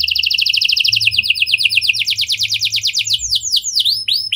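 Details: Prolific domestic canary with lovebird and prenjak-style phrasing, used to prompt other canaries to sing at length; a long, even run of quick high chirps that slows at the end into looping, swooping whistled notes.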